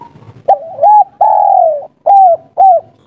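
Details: Spotted dove of local stock calling a female in the three-note kuk 3 style: a soft warbling coo, then a long falling coo and two short arched coos, all low and mellow, with clear gaps between them.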